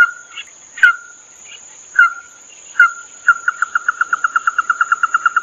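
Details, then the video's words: Red-eyed bird used as a lure: several sharp clipped notes spaced about a second apart, then a fast even series of short repeated pulses, against a constant high electronic whine. "Tiếng mắt đỏ siêu nhạy"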